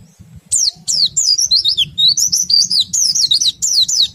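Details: Oriental white-eye in full song, ngerol and ngriwik styles, used to trigger other white-eyes to sing: a continuous, fast, high-pitched stream of slurred chirps and warbled notes lasting about four seconds, with a faint low hum below.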